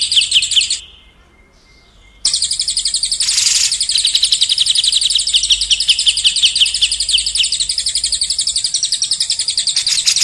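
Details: Masteran song for training contest and young White-rumped shamas: a rapid high trill breaks off into near silence for over a second, then resumes as a long, tight roll of sharp chipping notes, with one brief burst of hissy noise.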